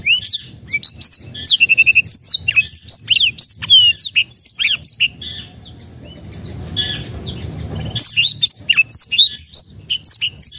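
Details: Long stretch of black-throated canary song used to stir silent birds into singing. Dense, rapid chirps and swooping whistles pour out, break for about two seconds of soft hissing noise, then resume just as fast.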